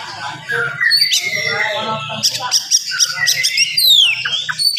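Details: Energetic oriental magpie-robin song in the morning, quick and dense, intended to raise aggression in listening magpie-robins. Mix of harsher chattering notes and bright whistles, ending in sharp descending sweeps.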